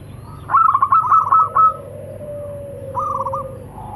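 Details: Local zebra dove pair, male and female, calling back and forth: a loud rapid chattering coo phrase, then a long low steady hum-like coo, and a shorter stuttering answer near the end.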